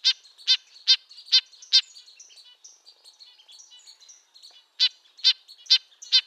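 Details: Red-breasted nuthatch giving high nasal toots, five in quick succession, a two-second lull with soft distant calls, then four more notes.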